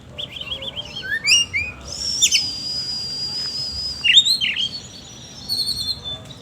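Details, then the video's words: Oriental magpie-robin with an energetic rough-note song, mixing warbled trills, a long high sustained whistle and abrupt downward sweeps, with brief pauses between phrases and faint low hum behind. "BURUNG KACER GACOR NGOBRA ISIAN KASAR"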